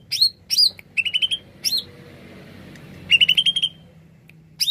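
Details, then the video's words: Greater green leafbird singing actively, sung as a lure for wild birds: bright sweeping rising whistles alternating with quick trills of about six clear notes, in short bursts separated by pauses, over a faint low hum. "Kicau Cucak ijo gacor paling ampuh pikat bunyi burung bahan"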